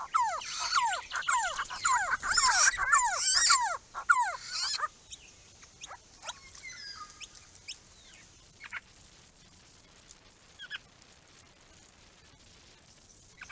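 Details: A wild group of Grey-crowned babblers at a pond erected for them in 2017; a dense burst of loud falling notes and chatter for about five seconds, then sparse quieter calls and near silence.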